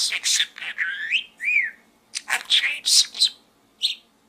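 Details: Pet budgerigar chattering and talking inside a small gourd, a rapid run of scratchy, high-pitched syllables with whistled upward and downward slurs, broken by short pauses, in a quiet room.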